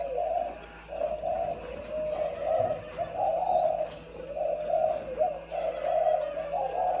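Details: Decoy spotted doves, a pair kept caged, giving soft low repeated coos in rolling phrases of several notes, with light background noise and a distant faint chirp.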